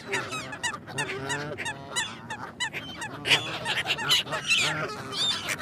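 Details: Domestic geese honking and cackling together, harsh nasal calls overlapping rapidly in a noisy chorus, several birds calling at once with loud bursts in the second half.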